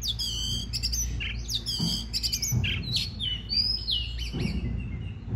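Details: Oriental magpie-robin song meant to prompt other birds to sing, a rich varied run of sweet whistles, slurred notes and quick chattering phrases delivered continuously above a constant low background hum.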